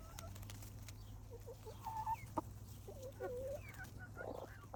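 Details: Hens pecking at bread in a handmade wicker bowl on grass, making a few drawn-out tonal calls and soft clucks over a low steady background hum.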